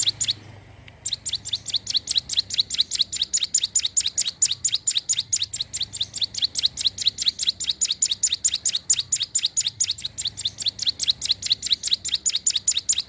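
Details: Lively Sunda warbler (ciblek gunung) song, used as a lure for wild birds: a fast, steady stream of high, sharp chirps, each a bright downward-sliding note, repeated a little over twice per second almost without a break.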